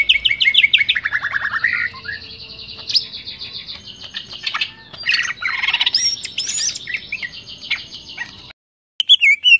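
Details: Greater green leafbird, varied song recorded as tutor material: a continuous medley of descending slurred notes, buzzy rattles and bright chirps over a low background hum, a brief gap, then a few rising whistled notes.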